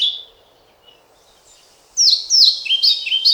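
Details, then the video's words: European pied flycatcher (Ficedula hypoleuca) singing: after a brief high note and a quiet pause, a loud burst of sweet, high, rapidly alternating whistled phrases swinging up and down, about five notes in under two seconds. "Мухоловка-пеструшка поёт"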